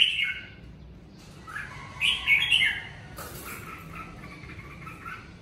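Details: Red-whiskered bulbul song recorded in the covid season, a couple of clear slurred whistled phrases followed by softer chattering notes, with a faint background hiss.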